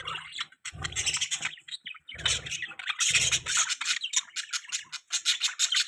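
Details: Budgies chirping: dense, continuous high chatter of scratchy chirps and squawks from several birds, with bursts of low rumbling handling or rubbing noise underneath.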